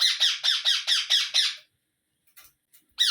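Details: Rapid series of six grating squawks from a baby parrot, evenly spaced and harsh, then a pause with faint rustles and one more squawk starting at the end.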